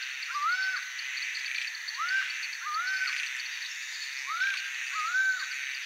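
A laughing falcon gives loud, arched, rising-then-falling notes, repeated irregularly about every second, over a steady hiss of insects.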